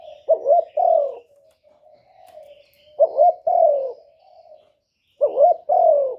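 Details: Spotted dove working as a trap lure for wild doves, cooing in three evenly spaced phrases. A short wobbling double note leads into a sustained falling note, with quiet murmuring between phrases.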